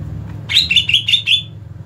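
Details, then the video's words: Fighting call of a greater green leafbird, five loud, clipped, slightly slurred whistled notes in rapid succession against a low mechanical hum. "Mental tarung cucak ijo anda akan terlatih dengan video cucak ijo fighter ini"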